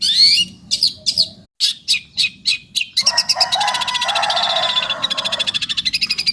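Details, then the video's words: Long-tailed shrike in full song: a string of spaced, sharp chirps and clicks gives way to a dense, buzzy, rattling chatter that fades into a steady pulsing trill. "cendet gacor"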